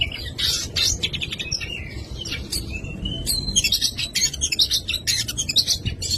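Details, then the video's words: Oriental magpie-robin in full 'isian' song, a dense run of varied notes: rapid buzzy bursts, short whistled slurs and chattering trills, delivered almost without pause, with low rumbling background noise. "KACER FULL ISIAN"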